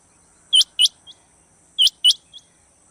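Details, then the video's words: Rain quail call used as a lure for quail trapping: two loud, sharp, high metallic double notes, each pair followed by a faint short third note, repeated about every 1.3 seconds over a quiet background. "Rain Quail sound 2025,Chinga batair ki awaz"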